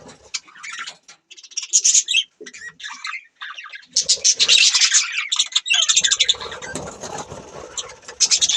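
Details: Budgie chirping and squawking: irregular scratchy calls at first, building to continuous dense warbling chatter with several birds overlapping, ending in loud sharp chirps.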